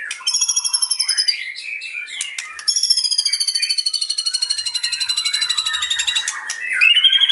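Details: White-rumped shama singing with mimicked cililin phrases. Loud high whistled and buzzy notes, then a long rapid rattling trill held for several seconds, ending on a rising whistle.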